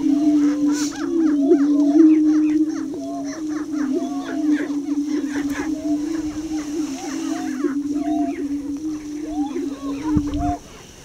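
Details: Greater prairie chickens on a lek at Tympanuchus Wildlife Management Area east of Crookston, Minnesota, with a young subdominant male displaying near the blinds: a steady, low, hollow booming drone beneath busy whooping cackles and clucks, several every second.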